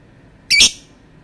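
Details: Lovebird letting out one harsh, shrill screech that is brief and loud against a quiet background.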